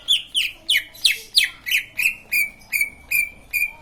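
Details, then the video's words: Green leafbird song said to prompt other leafbirds to sing along: a steady series of about twelve bright, downward-sweeping whistles, roughly three per second, with the later notes flatter and purer. "Burung cucak ijo lain pasti ikut bunyi"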